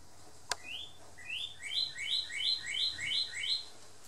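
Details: A male northern cardinal, known as the red cardinal, sings in a Big Island garden: a single sharp click, then a rapid train of rising whistled slurs, paired high and low, repeated about three times per second.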